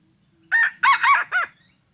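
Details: Tadung-plumaged red junglefowl, once bought and escaped, not truly wild, crows near a decoy set for trapping; short, hoarse, three-syllable call with a rising and falling final note in quiet surroundings.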